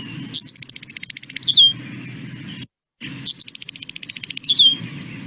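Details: Two dry, buzzy meadowlark chatters, the call usually given when taking off from grass or a fence post, each a rapid run of high pulses over a second ending in a quick down-slurred note, over a low hum.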